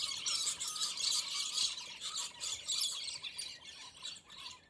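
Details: Scaly-breasted lorikeets squabbling and fighting over territory, in a wrestling match that lasted ten minutes; dense, continuous harsh high screeches and squeals overlapping rapidly for the whole stretch.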